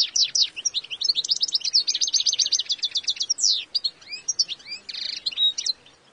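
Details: European goldfinch calling; a dense, fast run of high tinkling twitters and buzzy trills with rapid chirps packed tightly across the whole stretch, no other sounds.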